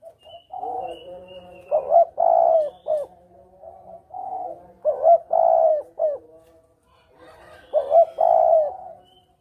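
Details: Spotted dove calling as a hunting lure, in the double-kuk style: three husky coo phrases about three seconds apart, each a rising note, a drawn-out coo and a short end note, with faint higher whistles behind.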